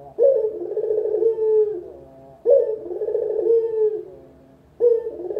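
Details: Lure call of a local spotted dove meant for beginner trappers: low, mellow coo phrases, each opening abruptly then trailing into a long wavering, gently falling purr, repeating about every two and a half seconds.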